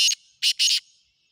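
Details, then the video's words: Black francolin giving three rasping, buzzy notes in quick succession. The last note is drawn out, and each note fades into a soft tail. "کالا تیتر کی مکس آوازیں کالا تیتر کی بولیاں"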